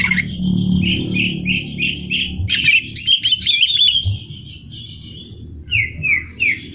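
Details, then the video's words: Greater green leafbird in nonstop training song for competitions: a run of repeated rising whistles, then a loud burst of fast chattering, a pause, and three more clear slurred whistles over a low hum. "Cucak Hijau Gacor Hiper Ampuh Buat Bahan Lomba"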